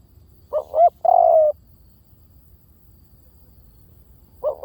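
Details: Spotted dove calling as a lure: two short swelling hoots then a sustained soft coo, with the next phrase starting after a pause of roughly three and a half seconds; only a faint low hum behind.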